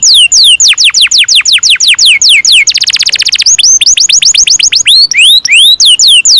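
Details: Singing canary, a long-rolling song used to teach young canaries: loud shrill whistles sweeping sharply downward, repeated several per second, then a dense fast rattle and more rapid rising and falling sweeps.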